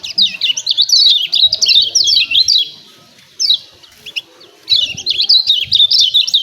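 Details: Lombok lemon-bellied white-eye giving the 'ciak ciak' song that provokes birds to sing, with fast runs of thin, bouncing high notes, a quiet pause midway, then another energetic chattering burst.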